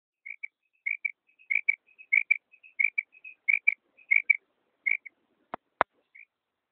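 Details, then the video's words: Female common quail (mada batair) calling: soft, high, short notes in quick pairs and triplets, loosely spaced, with two sharp clicks near the end. "mada batair ki awaz new awaz batair ki awaz female quail sound"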